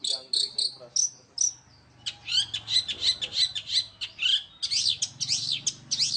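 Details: Long-tailed shrike singing in the fast, tightly packed 'roll speed rapat' style: a few separate high whistled notes open, then a dense run of rapid buzzy, chattering phrases repeated without pause, with a faint low hum underneath.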